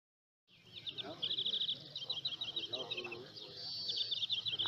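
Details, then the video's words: A European greenfinch sings bursts of fast, bright twittering trills, several phrases a second, at a 2018 greenfinch singing contest in El Torviscal, Seville, Spain, while people murmur faintly in the background. "concurso verderón de oro"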